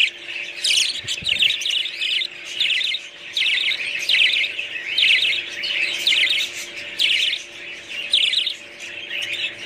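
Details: Budgerigars give rapid bursts of bright, scratchy chirps roughly every second, each burst a quick tumble of high twittering notes, with a steady low hum underneath.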